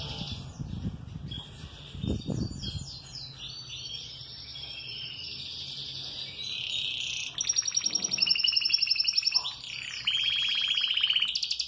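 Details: Canary in moult, singing throughout the day: soft, scattered notes with dull knocking thumps at first, then loud rapid trills and a sharp high rattle in the second half.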